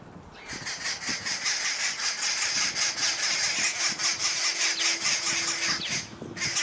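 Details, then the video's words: Arrow-marked babblers give harsh, raucous chattering of rapid rasping notes at a feeder, with a low engine hum underneath. "Arrow-marked Babbler"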